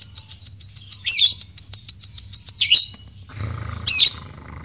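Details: Lovebird chirping, offered to spur courtship and ngekek singing: a quick series of high ticks and chirps, then two louder harsh squeaky notes separated by a short noisy rustle.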